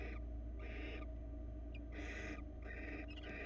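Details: At a Florida nest camera, a male barn owl delivers a rabbit to his mate; rasping, noisy screeches in irregular bursts, with a brief sharp chirp between them and a constant low background hum.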